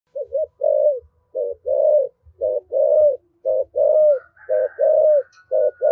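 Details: Spotted dove kept as a decoy bird, singing in the 'giọng thổ' voice style said to quickly rouse wild doves to coo. Clear repeated mellow coo phrases, each a short hooked note followed by longer rounded ones, with soft low thumps beneath.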